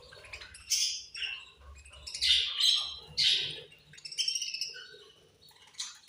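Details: Several budgerigars chirp angrily while eating, loud raspy squawks and buzzy chatter in repeated bursts, harsh notes swelling and fading, some softer warbling between, and low tapping sounds in the background.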